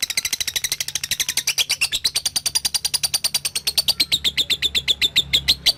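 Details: Rapid, unbroken chattering trill from a lovebird, the ngekek song style, in a training recording for young birds. Harsh high notes repeat about seven times a second for nearly six seconds, and the pitch slides gradually lower.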